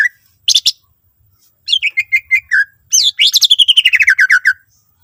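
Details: Singing greater green leafbird with varied fill-in phrases, played to coax other leafbirds: a short whistle, a brief buzzy burst, clipped notes, then a rapid descending trill of about fifteen notes.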